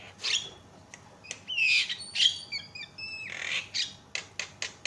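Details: Loud Javan myna calls meant to set other mynas calling: coarse squawks alternating with short clear whistles, some held level and some sliding down, ending in a string of sharp harsh notes.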